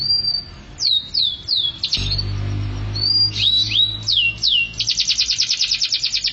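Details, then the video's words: Canary performing mabok teler style song: a held whistle, a series of falling whistled slurs and rising notes, then a fast pulsed high trill to close, over a low hum. "Suara burung kenari mabok teler"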